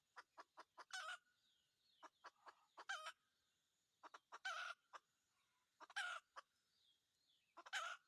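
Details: Red junglefowl calling while being trapped by decoy: series of quick clicks leading into five short harsh crows, over a faint continuous hum.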